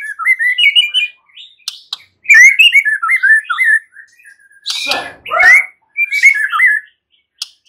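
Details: A white-rumped shama sings warbled, rising and falling whistled runs in a few bursts, interrupted by harsh scratchy notes around the middle.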